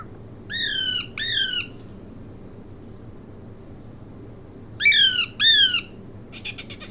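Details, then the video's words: Parrot giving harsh, harmonic-rich squawks in two pairs, each note slightly falling, the second pair after a few seconds of quiet, followed by faint rapid clicking chatter. "parrot ki awaz | parrot birds sound"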